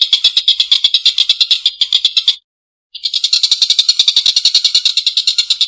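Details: Long, rough laughing call of a Collared kingfisher in full voice. A fast, grating chatter breaks off for half a second midway, then resumes just as harsh and rapid.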